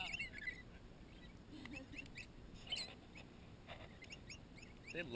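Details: A flock of wild lorikeets feeds on marshmallow melted on bread at a lakeside campsite at 7 am. They give quick, high, scratchy chirps and squeaks in overlapping bursts, with people talking softly nearby.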